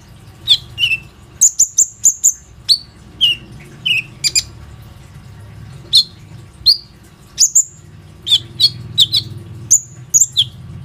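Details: Lively Plain-throated sunbird singing to coax other sunbirds into song, captured on an Oppo A37f phone: thin high tweets and quick double chirps, with falling slurred whistles spread through the phrase.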